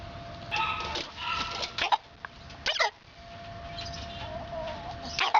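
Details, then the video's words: Chicken said to have the hiccups: scattered short, abrupt clucking bursts and clipped squawks with pauses, over a steady electrical hum. "Chicken Hiccups (Chickups)"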